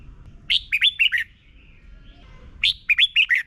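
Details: Thai Red-whiskered bulbul, 'double' song used each morning to teach young birds: two matching phrases of five bright, slurred whistles, a soft warble between them.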